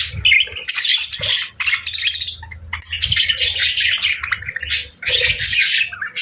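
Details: Several parakeets eating warm food on a winter morning, giving bursts of scratchy high chirps and squawks separated by short pauses, with low thuds beneath.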